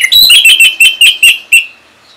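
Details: Orange-headed thrush from Singaraja, North Bali, used to draw song from other birds: a quick string of seven bright, clipped whistles with sharp attacks, ending abruptly.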